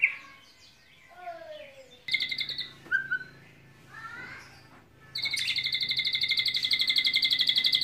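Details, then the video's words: Long cililin-style white-rumped shama song carrying lovebird and canary imitations: soft slurred whistles and chattering phrases, then a sustained fast buzzy canary-like trill. "MURAI BATU isian Love Bird ,,kenari cililin Panjang"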